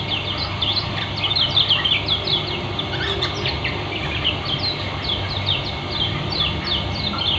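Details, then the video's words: Dense, speedy ngeriwik song of a Lombok white-eye (kecial kuning): a continuous flurry of high down-slurred chirps and short trills across the clip, a steady low hum underneath. "Terapi Pleci lombok kecial kuning ngeriwik speed rapat"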